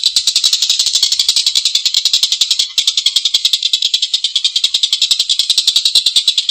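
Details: Long rough laughing call of a collared kingfisher: a continuous stream of raspy, high-pitched pulses at a quick, steady pace of about three and a half per second, with one slight hitch midway.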